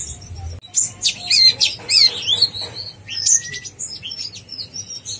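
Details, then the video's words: Energetic konin blorok (brown-throated sunbird) master song used to rile other konin: rapid, high, jumbled twittering with quick up-and-down slurred notes and buzzy chips, running almost without a break after a brief quiet start. "konin blorok gacor bikin konin bahan emosi"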